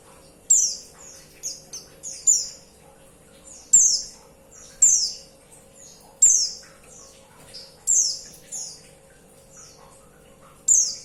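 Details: Female white-eye calling to a male: sharp, high, descending chirps repeated in a steady rhythm roughly every one and a half to two seconds, each with a short buzzy tail, over a faint low hum.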